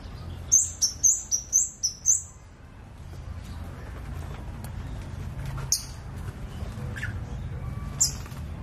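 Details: Scarlet-backed flowerpecker giving a quick run of six sharp, very high ticking chirps over about two seconds, then near silence with a low hum and two isolated high notes later.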